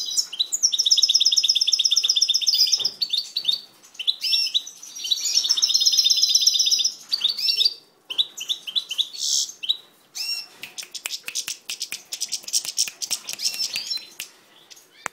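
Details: Captive-bred European goldfinch singing continuously: long rapid trilled passages of high, rippling notes, buzzy phrases and liquid twitters, with brief pauses and clicky chattering toward the end.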